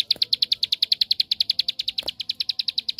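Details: Ciblek sawah, the bar-winged prinia, in its 'tembakan' song used to goad other prinias into singing: an unbroken three-second burst of rapid, even, high-pitched ticks, roughly ten per second.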